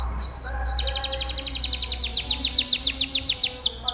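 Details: Gacor canary masteran song for training pet canaries: one high whistled note, then a fast rhythmic trill of about twenty sharp downward-sweeping chirps, steady and bright.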